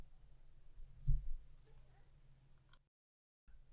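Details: Quiet indoor room tone with a low thump and faint murmuring, then a short stretch of complete silence before the low hum returns.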